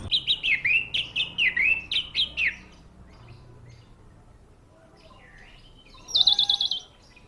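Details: Caged orange-headed thrush singing a fast series of loud, clear, downslurred whistled phrases repeated about twice a second, a short pause with soft rising notes, then a final burst of rapid trilled notes.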